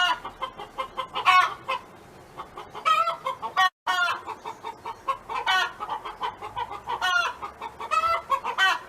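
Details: Domestic hen singing: hoarse, stretched squawks recur among rapid clucks, with a momentary dropout partway through.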